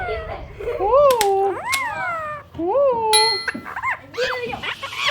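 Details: Parrots from northern Guatemala giving harmonic, arched calls that rise then fall, some sliding upward, about three in five seconds, with sharp clicks, a ringing tone and hiss in the background.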